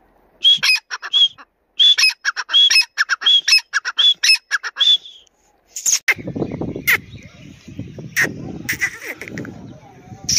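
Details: Grey francolin, teetar voice of the Dakni or Irani type: about five seconds of loud squawky phrases with whistled upslurs, followed by rustling and handling noise with a few faint notes.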